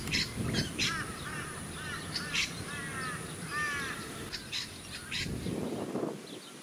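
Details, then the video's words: Australian wood duck (Chenonetta jubata) at a small artificial lake, Sunshine Coast, Queensland, February 2018, giving a series of nasal, drawn-out, arched mewing calls with brief sharp chirps of other birds and a low rumble of wind and suburban noise. "Australian Wood Duck 4"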